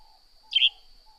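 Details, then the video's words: A Northern grey-headed sparrow gives one brief, bright chirp while a steady high hum and a faint low drone continue behind it. "Northern Grey-Headed Sparrow Serenade"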